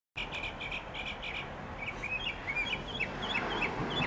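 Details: Mockingbird song recorded on a Sony HDR SR11 HD camcorder: paired chirpy notes repeated several times, then a run of quick slurred whistles and downslurred chips, over a steady low background hum.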